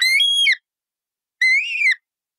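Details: :Parrot giving two loud, harsh calls of about half a second each, nasal and strongly overtoned, with a slight rise and fall, separated by a gap of nearly a second. The background is otherwise silent.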